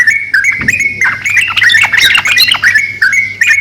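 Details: Yellow-vented bulbul pair, a male and a female, answering each other with quick liquid chirps and harsher squawky notes. The phrases overlap and tumble rapidly over a steady low background hum.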